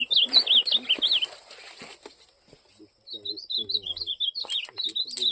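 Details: Ultramarine grosbeak (azulão) singing in a 'campeada' style: fast warbled phrases of rising and falling notes, a burst at the start, a pause, then renewed warbling with sharp high notes; faint low murmurs beneath.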